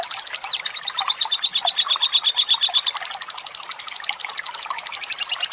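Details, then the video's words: Lovebird ngekek panjang, a long trilling song used as a master recording to prompt other lovebirds to sing, mixed with trickling water: a rapid, steady chatter of high notes, about three per second, holding a level whistled pitch. "masteran lovebird ngekek panjang,pancingan suara agar lovebird makin gacor"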